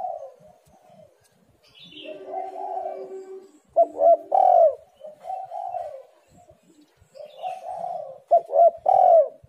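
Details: Spotted dove call used to prompt reluctant birds into calling: mellow low coos in phrases, a few sharp down-curving notes among longer level ones, with quiet gaps between groups.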